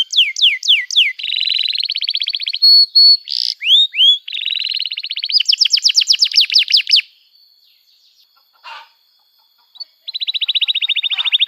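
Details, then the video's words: Canary song intended as a singing lesson for young canaries: descending whistled notes, rolled trills, looping slurs and a buzzy fast rattle, then a quiet gap and a final steady trill. "Kenari Gacor Panjang Cuit Cuit Emosi, Pancingan Kenari Paud Belajar Bunyi, terapi ampuh kenari macet"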